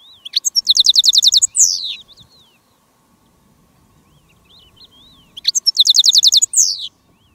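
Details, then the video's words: Decoy goldfinch calling to wild goldfinches during a silvestrismo field outing with a female decoy: two bursts of song about five seconds apart, each a thin rising note, a rapid trill of high repeated notes and a falling buzzy slur. "Jilguero de reclamo jilguera de jarilla y jilgueros de campo"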